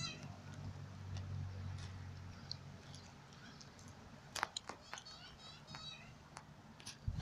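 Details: A juvenile Australian magpie in a cemetery loudly begs its parents to pick up chips from the ground and feed it, giving harsh, nasal, somewhat mewing squawks in a quick irregular series after low background rumble; finding: Australian magpie.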